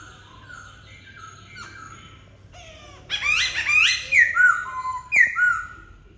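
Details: Black-throated laughingthrush song: soft notes at first, then an energetic burst of loud, tumbling whistles and rich slurred phrases, ending with a few bright downward-sliding notes.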